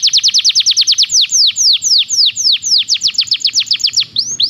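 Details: Belgian canary song for training: rapid strings of high downslurred notes, slowing into longer sweeping slurs, then speeding up again into quick repeated notes, bright and loud throughout, with a faint low hum behind.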